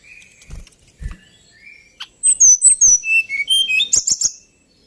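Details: Male White-browed Shortwing singing a rapid burst of high, sweet whistled notes and slurred trills for about two seconds, preceded by soft chirps and a few low knocks.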